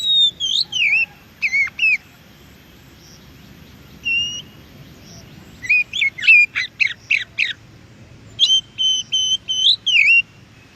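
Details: Oriental magpie-robin (kacer) recorded singing in nature, meant to make caged birds answer; bursts of loud swooping whistles and rapid chattering notes in clusters, separated by quieter gaps, in a calm outdoor setting.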